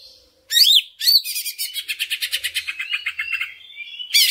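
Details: Greater green leafbird (Chloropsis sonnerati) sings loud, high, varied phrases: swooping whistles, a fast rattling chatter, then a thin sustained whistle; used as a lure to stimulate other leafbirds to sing.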